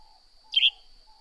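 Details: A single short, bright, descending chirp from a northern grey-headed sparrow against a constant shrill hum in the background.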